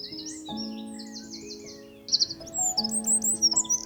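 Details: Eurasian wren singing in spring forest near a cabin in Norway: high, rapid bursts of sharp chirping notes and trills, heard over soft background music with steady low tones.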